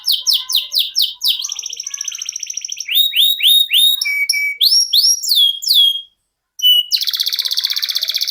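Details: Domestic canary (kenari) singing in the Indonesian ngerol sejalur style, a long-duration rolling song used as a tutor for contest songbirds: rapid repeated descending whistled notes, buzzy trills and sweeping phrases, a brief pause near the end, then a dense rattling trill.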